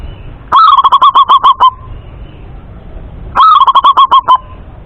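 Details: A male local zebra dove (perkutut) in Indonesia gives two clear cooing phrases, each a short rising opener and then about eight quick, even staccato notes, repeated roughly every three seconds.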